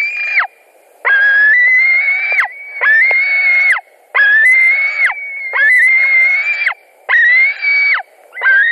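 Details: At a Latvian white-tailed eagle nest, late evening on 17 July 2020, while a fish is delivered and fought over: a steady series of seven drawn-out, wheezy whistled screams, each slightly rising, then dropping abruptly, separated by short pauses.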